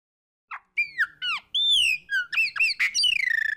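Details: Chopi blackbird delivering fumaça song, a dense phrase of loud, ringing whistles that swoop up and down, with sharp downslurs and a rapid buzzy trill at the end.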